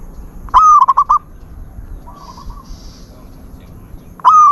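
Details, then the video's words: Zebra dove cooing: a loud rising note that breaks into a quick stuttering run of short coos, repeated after about three seconds, with a softer distant dove answering between phrases and a quiet background. "นกเขาชวา ออดดีๆ เสียงดีๆ"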